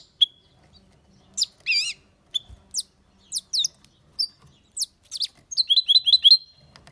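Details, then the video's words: European goldfinch singing: spaced sharp chirps and downslurred whistles, one wavering trill, ending in a quick run of tinkling repeated notes. "Goldfinch singing the best chirping"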